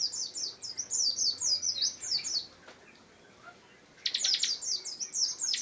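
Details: Bar-winged prinia in busy song: quick high downslurred chirps in a rolling series, a pause of about a second, then a dense burst of sharp high notes and further chirps.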